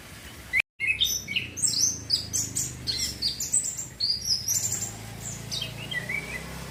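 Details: Learning young male chestnut-capped thrush, kept to train young birds; quick high whistles and twittered slurs stream continuously over a steady background hum and hiss, with a brief dropout near the start.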